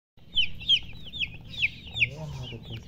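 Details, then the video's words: Baby chicks with a hen chirping: a run of about six sharp, high peeps, each sliding downward, uneven in spacing, over a steady low hum and faint rustling. "silly chicken chirping sounds"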